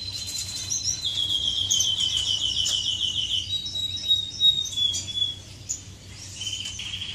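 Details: Finches courting inside an aviary on 10 May 2015: a long, fast, evenly pulsed trill of high notes lasts about two and a half seconds, followed by thin whistles and chirps from other birds over a low hum.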